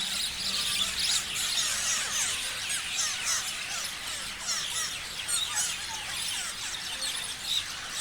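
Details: Many parrots chirping at once, loud rapid high squeals and chattering notes packed tightly, with sharp bursts throughout and no pauses.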